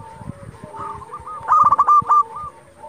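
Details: Zebra dove of local stock singing to stir rivals into replying; a loud run of quick, rolling coo notes in the second half, with a steady chorus of other doves cooing behind.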